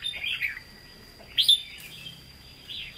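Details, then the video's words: A red-whiskered bulbul with a Hue-style voice gives short, bright, chirpy phrases in three quick bursts, high and slightly slurred, over a faint steady whine. "Chào Mào Chuẩn Giọng Huế Hót Ché"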